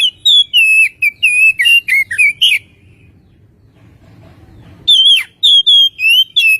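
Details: Oriental magpie-robin singing, played as a lure to get birds singing quickly: a rapid string of clear, sliding whistles, a pause of about two seconds, then another burst of varied whistled notes.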